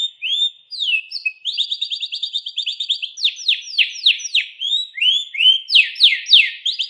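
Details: Continuous canary song from a pet bird, shifting between fast rolling trills and rapid series of bright downward-swept notes, with no pauses or background noise.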